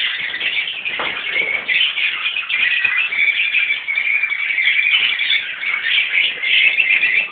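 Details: Colony of Rosy-faced and Fischer's lovebirds, parents and young mixed together, kept in captivity. Dense, continuous shrill chattering and screeching from many birds at once, overlapping high squeaks with no pauses, loud throughout.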